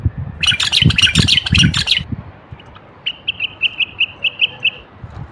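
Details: A male Moroccan common bulbul (Pycnonotus barbatus) sings a burst of harsh, scratchy chatter with low thumps, then a quick, even run of about eight short, bright notes, played to stimulate other bulbuls to sing.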